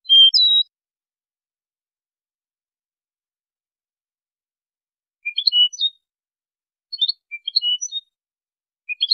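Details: European goldfinch training song: one clear whistled phrase, then after a pause clusters of rapid, twittering chips and short notes of varied pitch, with silence between bursts.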